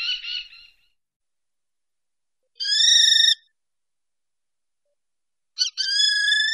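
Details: Common kestrel in Wittlicher Tal, 2018: a short buzzy trill, then two long, drawn-out, steady whining notes lasting about a second each, separated by silence.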